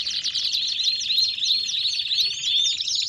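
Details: Belgian canary singing a rapid series of repeated down-slurred chirps, about three per second, rising into clearer whistled notes toward the end.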